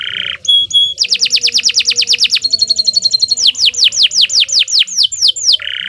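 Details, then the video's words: Canary song used for training: a buzzy note and brief whistles, then rapid descending whistled notes, a high buzzy trill, slower sweeping slurs, and a final buzz. "16 Suara Burung Kenari II GACOR PANJANG Cocok untuk Masteran"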